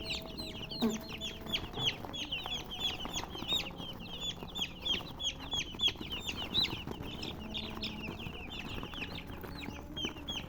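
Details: Domestic chickens chirping: many overlapping high, thin peeps, each sliding downward, in a constant busy chatter with soft low background noise.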